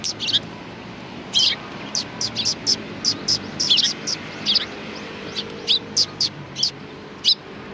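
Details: Sparrows at a Tenmangu shrine in Japan, recorded 1 March 2020, chirping in quick sharp notes, often paired or in short runs, with faint low background noise.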